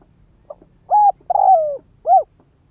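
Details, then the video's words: A single full phrase from a Spotted dove decoy cooing to draw in wild doves: a faint tick, a steady coo, a long drawn coo falling in pitch, and a short final coo. "Tiếng chim cu mồi đất gáy kích bổi"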